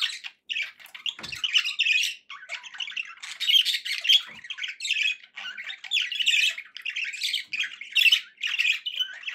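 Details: Contented pet budgies chatter in dense scratchy warbling, squeaky notes and harsh squawks rising and falling in loudness.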